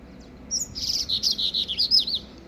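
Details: A young Yellow-bellied seedeater, still immature and without a settled song, sings outdoors near a grassy field after being carried there: a quick, high run of sweet warbled and slurred notes, about eight in under two seconds, against a quiet background.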